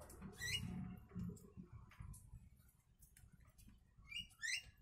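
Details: A yellow-vented bulbul sings phrases copied from the sooty-headed bulbul (kutilang), meant as a tutor recording for other birds. Two brisk rising whistled bursts open and close the passage, with soft chatter between them and a low background rumble.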